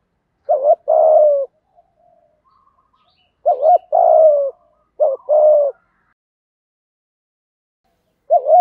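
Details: Cooing spotted dove in the 'thổ' style, recorded to stimulate freshly caught captive doves to coo. Two-part phrases: a short curling note, then a longer falling coo. Phrases come in spaced bursts with a long pause before the last note.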